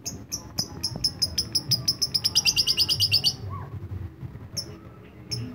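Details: Lovebird singing in the ngetik (typing) style: a fast run of short, sharp, high ticking notes that speeds up into a dense rattle over about three seconds, then a few scattered ticks later, over low background hum.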